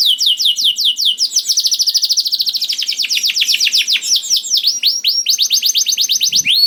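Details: Canary pouring out 'gacor' song to coax hesitant canaries to sing: steady rapid trills of descending notes, about three per second at first, speeding into dense rolls.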